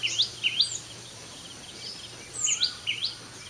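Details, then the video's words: Early-morning sunbird song at 5:30 AM, two quick clusters of high zigzag rising notes separated by a short silent gap. "தேன்சிட்டின் சங்கீதம் | The Voice of Sunbird"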